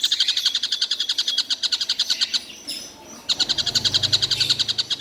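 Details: Tengkek buto kingfisher, a bird said to call all day nonstop. It delivers a quick train of sharp, high repeated notes, breaks off briefly near the middle, then resumes the same rapid series.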